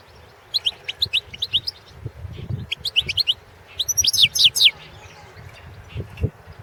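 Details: Balkan goldfinch, Carduelis carduelis balcanica, singing as a competition entry in the 2017 World Championship in Goldfinch Song in Serbia; rapid high twittered phrases separated by short pauses, ending in a louder, denser jumble of notes, with low background rumble.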